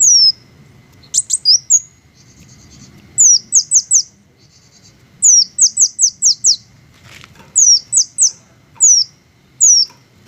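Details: Green hummingbirds in a natural setting repeat short runs of three to five shrill, downward-sliding squeaks, interspersed with faint buzzy trills and a few clicks, steady across ten seconds.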